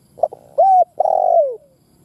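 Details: A cooing phrase from a spotted dove lure meant to rouse wild doves to fight: two soft stuttered notes, a level hooting note, then a long, throaty coo that slides downward.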